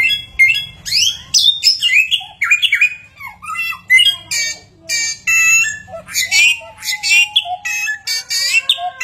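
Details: Chinese hwamei able to mimic many kinds of sounds, pouring out a rapid, varied medley of harsh chatters, squeaky notes and twisting whistles, with one long steady whistle near the end and a faint low hum behind.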